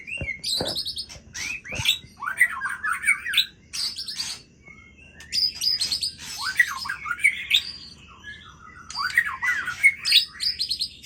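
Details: Aceh white-rumped shama singing at full voice through its repertoire of learned phrases, delivered in phrases of a few seconds each, made of sharp clicks, upward-swept whistles and high squeaky notes separated by brief pauses.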